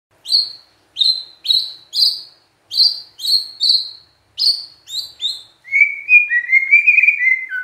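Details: Oriental magpie-robin song meant to provoke a response from other magpie-robins: about eleven sharp, high whistled notes at a steady pace, then a longer warbling, chattering phrase.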